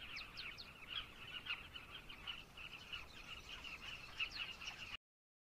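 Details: Carmine bee-eaters in Zambia calling in a crowded, continuous chorus of short throaty notes, ending abruptly in silence after about five seconds.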